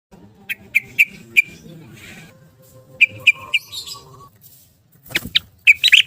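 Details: Yellow-vented bulbul in rapid 'ropel' style, a lure for caged bulbuls gone silent after a cage change: scattered bright chirps, then a short run of whistled notes and a final burst of jumbled notes.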